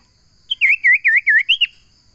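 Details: Common iora song phrase of about six looping whistled notes delivered in under a second and a half, each sliding down then up, the last pitched higher, with little background noise.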